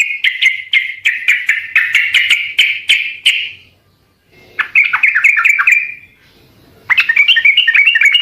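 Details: Sooty-headed bulbul song played to trigger answers from other birds: a long run of rapid, evenly spaced chirps, then a pause, a warbled chattering phrase, another gap and a bright twittering burst.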